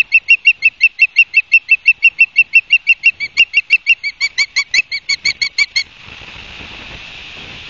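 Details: At a Barnegat Light, New Jersey nest, 31 August 2022 at 12:30, an osprey utters rapid piercing whistled chirps about three per second, the series loosening near the end before stopping and giving way to steady wind-like hiss.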